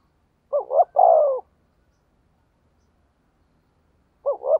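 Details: Spotted dove used to lure wild doves, cooing thúc gù style: one complete phrase, a dipping double note then a long, mellow, falling coo. The next phrase begins near the end after a long silence.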